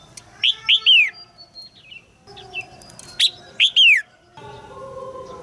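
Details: Caged red-whiskered bulbul female giving bright, harsh chirps to make a young male sing; two clusters of two or three notes, the last dropping in pitch, with low murmuring noise behind.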